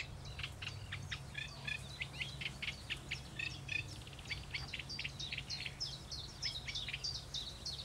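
A Eurasian reed warbler sings a steady, chattering run of scratchy, repeated notes in twos and threes, with a low background hum throughout.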